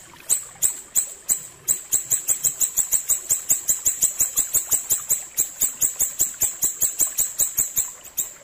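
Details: Clear ashy tailorbird song used as training material: after a couple of spaced notes, an unbroken stream of sharp, high chips runs at about four per second to the end.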